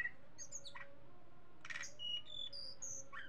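A Sunda bush warbler sings a quick run of thin, high whistled notes and chirps that shift in pitch, over a low steady hum.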